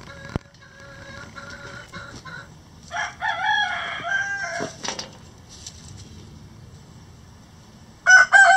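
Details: Chickens in a coop: soft, scattered clucks, then a loud harmonic crow lasting nearly two seconds that breaks off abruptly, a quiet stretch, and a sudden sharp squawk near the end.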